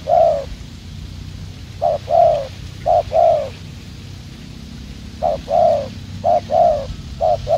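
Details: Wild-caught spotted dove used as a decoy in Vietnamese dove trapping, giving a fast cooing style. Low mellow coos come in short phrases of two or three notes, each phrase a second or more apart.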